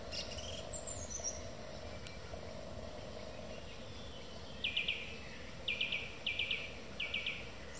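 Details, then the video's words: Song thrush in evening song, delivering clipped triple-note phrases, each repeated several times in quick succession with short pauses, after a thin high descending note early on; constant low hum and hiss beneath. "Song Thrush singing in the evening"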